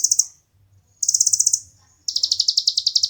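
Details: Brown-throated sunbird (kolibri ninja), a competition bird, giving long rapid high trills of pulsed, buzzy notes in three bursts over a soft low hum.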